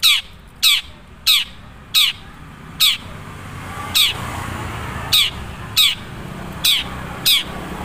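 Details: Long-tailed shrike of the Madura type in its natural voice, without much added learned material. Harsh, grating squawks sound roughly every half second to second, with a faint background hiss.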